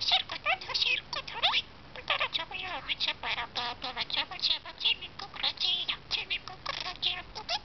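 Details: Talking budgie in dense, rapid babble, sounding like quick mimicked syllables mixed with scratchy warbles and sharp squeaks, almost without pause.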